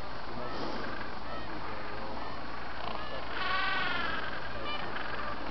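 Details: Mating Gentoo penguins in Antarctica on 13 November give harsh, honking brays with a rough harmonic buzz, the loudest about midway, over steady low wind rumble.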